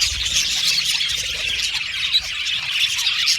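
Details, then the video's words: Budgerigars in an aviary colony, many birds chattering at once: a dense, continuous wash of scratchy chirps and squawks, high-pitched and unbroken throughout, with no other sounds standing out. "Beautiful Budgies Chirping Sound"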